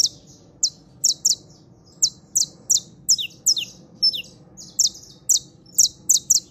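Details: Saffron finch trill: bright, high chirps in quick doubled bursts that grow denser toward the end, over a faint low background hum.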